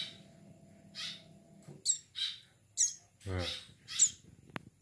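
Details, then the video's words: Young plain prinia chicks calling with sharp, high-pitched chirps about twice a second; a low hum fades early, and a brief rough human voice breaks in midway. "Anakan burung ciblek sawah"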